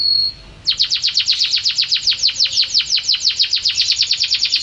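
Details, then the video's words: Canary in full, lively song: after a brief high whistled note, a fast series of sweeping downward trills repeats steadily, about six notes per second, high-pitched and bright. "Kicau burung kenari gacor"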